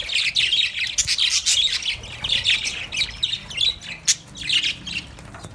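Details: Caged pet budgerigars, happy and playing, chirp in a dense, continuous stream of short, scratchy high twitters and squeaks that overlap without pause.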